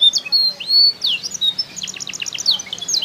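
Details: Canary from Comal, Pemalang, Central Java, Indonesia: high whistled slurs and a long sweeping note, then a quick rattling series of sharp chips, with a faint low hum beneath.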